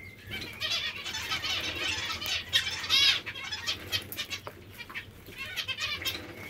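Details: Hungry zebra finches produce a continuous stream of overlapping nasal chirps and short buzzy notes, peaking near the third second, over light rustling and a faint low hum.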